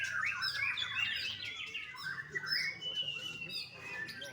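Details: Young captive white-rumped shama from a bird farm in Bali, Indonesia, singing a rich run of varied whistled and warbled phrases, sliding up and down in quick succession, over faint background hum.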